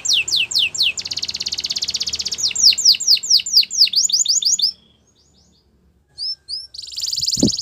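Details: Canary song of quick falling chirps and a long rapid trill, then fast sweeping notes, a pause, two short whistles and a final buzzy burst with a thump.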